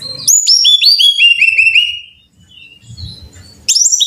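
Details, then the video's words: Brown-chested jungle flycatcher song for training caged birds: a rapid, clean series of bright whistled notes stepping down in pitch, then a quiet gap with faint background sounds before the next burst starts. "Pancingan Masteran Suara Burung (SIKATAN RIMBA DADA COKLAT)"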